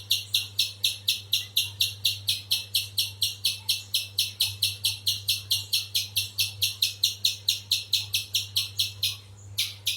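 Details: Spiderhunter giving a long, fast series of sharp, high chipping notes, about two per second, steady for ten seconds over a low constant hum.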